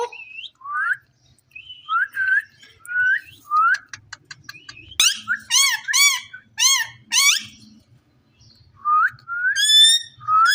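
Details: An Indian ringneck parrot in a cage talks in a string of rising, squeaky syllables and harsher, buzzy wavering phrases, coming in quick bursts with brief gaps.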